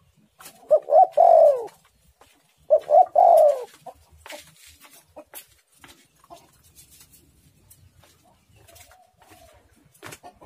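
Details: An eager spotted dove, singing with a tight, pressing voice, gives two rolling three-part coo phrases in quick succession near the start. Sharp tapping and rustling noises follow, along with a faint distant coo.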